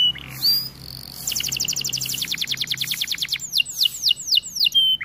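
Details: A white canary sings: a brief whistle and pause, then a fast rattling trill of clicks, followed by a run of loud descending slurred whistles repeated about every quarter second.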